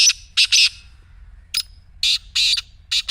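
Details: Black francolin call aimed at getting a quiet partridge to start calling: loud grating notes in quick groups, three at the start then four more after a short pause, harsh and buzzy over a calm background.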